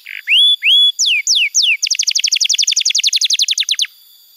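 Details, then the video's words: Canary song intended to teach young canaries and stimulate silent ones: clear level whistles, three sweeping downward slurs, then a fast rhythmic volley of about twenty-five descending notes. "Masteran Kenari PAUD & Pancingan Kenari MACET BUNYI"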